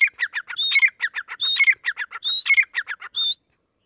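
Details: Young grey francolin giving rapid scratchy notes with interspersed higher, drawn-out squealing notes, about a dozen in a quick burst before stopping.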